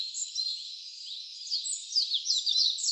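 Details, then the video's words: Wild birdsong on a streamside hiking trail in Karuizawa, Nagano, Japan: a broad steady hiss at first, then a cluster of sharp, high, downslurred chirps grows louder toward the end. "Relaxing Birds chirping Sound / 長野県軽井沢町千ヶ滝せせらぎの道と野鳥のさえずり"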